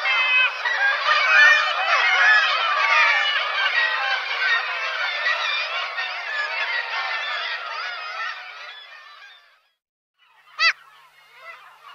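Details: Black-legged Kittiwake (Rissa tridactyla): a dense din of overlapping nasal, wailing gull calls for about nine seconds, then a brief pause and one sharp, clear call near the end.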